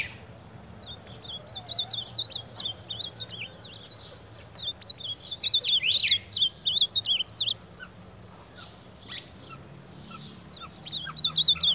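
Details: Ultramarine grosbeak attacking its reflection in a mirror delivers repeated flurries of high, warbled twisting notes separated by short quiet gaps, with soft background rumble.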